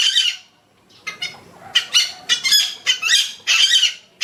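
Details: Wild yellow-vented bulbul giving bursts of bright, bubbly chattering notes, roughly two per second and uneven in pace, with short pauses between phrases.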